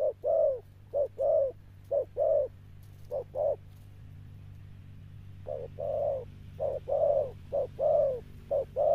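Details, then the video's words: Sấm Thổ style cooing from a wild-caught Spotted dove. Low, resonant coo phrases come in groups of short and drawn-out notes, with a pause of about two seconds in the middle. A faint low hum runs underneath. "Gù Âm Sấm Thổ"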